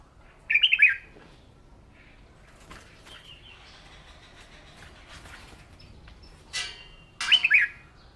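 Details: Red-whiskered bulbul in morning singing practice, a newly caught bird being pushed to sing competition song; two short bright warbled phrases near the start and end, with quiet faint noise between.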